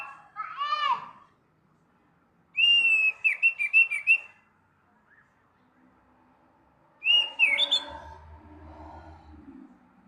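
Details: Morning song of an orange-headed thrush: a descending slurred phrase, then bursts of bright, warbled whistles with rapid trills, repeated at intervals of a few seconds, and a faint low hum near the end.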